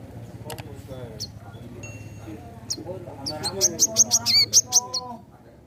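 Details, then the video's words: Caged crimson sunbird from a keeper's collection, singing vigorously: after scattered chirps, a fast run of sharp, high, clipped notes repeated about three per second, over a steady low hum. "Burung Kolibri Manggar / Wiceh Gacor"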